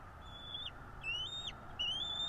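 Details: Bald eagle calling at a North East Florida nest, nest camera, 12.02.2022, 16:09: three squealing whistles, each rising then snapping downward, delivered close together above a soft hum.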